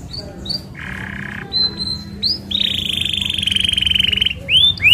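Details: Rolling song of an Isabel canary, used to draw song from other canaries: brief upward chips, a low buzzy tour, then a long harsh rattling roll held nearly two seconds before sharp rising notes.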